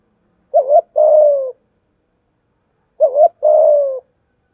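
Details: Spotted dove used as a lure to train and provoke other doves; two coos, each a short wavering note followed by a longer falling coo, about two and a half seconds apart, clean background.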